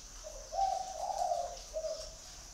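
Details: One full spotted dove call: a soft opening note, a longer, stronger rolling coo, then a short closing coo, low and mellow against near silence.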